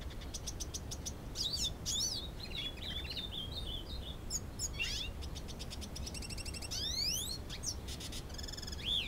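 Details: Captive-born male hooded siskin, two years old, courting a female canary in Canoas, Rio Grande do Sul, sings a fast, varied twitter of high chirps, buzzy trills and rising sweeps over a steady low background hum.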